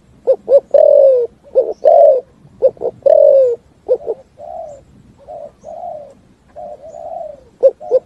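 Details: Spotted dove in full 'thúc gù' cooing, echoing in forest: quick paired coos and long falling coos early on, then a run of softer, even coos before a final short pair.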